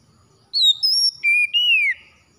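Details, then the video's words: Oriental magpie-robin song in a morning recording meant to get quiet captive birds singing: four clear whistled notes, two high and level, then two lower, the last slurring downward, in a clean quiet setting. "TERAPI PAGI PEMULIH KACER MALAS BUNYI CEPAT GACOR"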